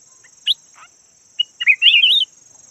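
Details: Red-whiskered bulbul of the yellow variety used as a decoy bird: a few sharp chips, then a quick looping warbled phrase, over a constant high whine.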